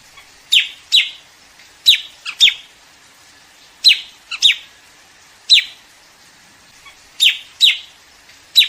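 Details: White-throated fantail flock call used by trappers: bright, sharp, high chips, mostly in pairs about half a second apart, repeated every second or two in a quiet setting.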